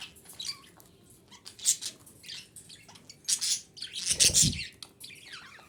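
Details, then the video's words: Female budgerigar, sound used for breeding stimulation; scattered harsh squawks and scratchy chirps building to a loud burst near the end, together with a brief low thump or rustle. "DİŞİ Muhabbet Kuşu Sesi - Muhabbet Kuşu Kızıştırma"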